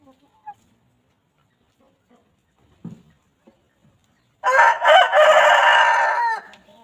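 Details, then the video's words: Free-range chickens roaming freely on a farm; after scattered soft clicks and quiet pecking noises, a rooster bursts into a long, loud, harsh crow of about two seconds. "Chickens Pecking and Clucking"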